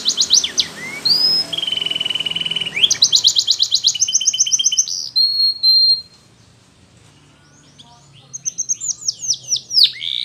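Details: Belgian canary song of rapid trills and pure whistled tones, broken by a two-second near silence, then resuming with quick downslurred notes; low background hum throughout.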